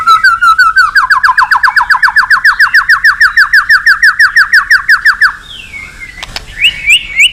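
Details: White-rumped shama singing to call a rival: a long, fast, even run of repeated downslurred notes lasting five seconds, followed by a few sharp whistles and a click.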